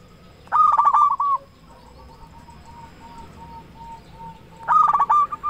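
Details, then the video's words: Local zebra dove, a constant singer with a big voice, used as a lure to make other zebra doves sing: a loud burst of rapid staccato cooing notes, a faint distant cooing phrase, then another loud rattling coo phrase. "Perkutut lokal gacor suara besar cocok untuk pancingan burung perkutut supaya bunyi"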